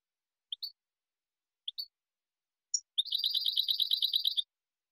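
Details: European goldfinch, Spanish type, singing clean training song for young birds. A few widely spaced sharp high notes lead into a rapid, even trill of bright repeated chirps lasting about one and a half seconds.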